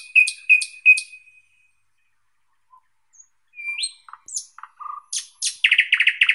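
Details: Thrush nightingale song with three loud clear piping notes, silence, then scattered slurred whistles and deep notes speeding into a fast dry chattering run.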